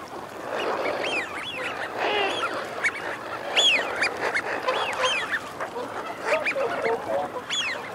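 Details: Male and female wigeon calling: steady flock chatter of many overlapping high whistles, each rising then dropping, mixed with lower gruff growling notes.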